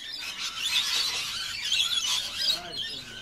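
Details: Several rainbow lorikeets at a suburban sugar-water feeder produce continuous harsh, high screeches and squeals, overlapping into a noisy chorus while feeding.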